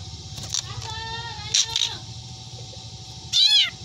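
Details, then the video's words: Quiet, faint notes and a brief scratchy burst lead up to a loud, downward-sliding meow at the end, a black drongo mimicking a domestic cat. "Burung Sri Gunting Yang Doyan Ngomong Meong Dan Teriakan Anehnya"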